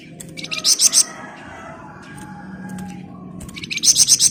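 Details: Flamboyan bird in full song, ngebren rapat style, giving two short bouts of shrill, fast-repeated buzzy notes at a high pitch, separated by a pause filled with low background hum.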